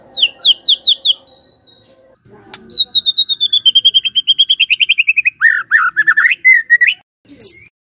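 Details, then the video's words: White-rumped shama singing strongly: a few sharp descending notes, a pause, then a long fast rattling trill that slowly drops in pitch, ending in rich slurred whistles and a brief squeak. "MURAI BATU GACOR"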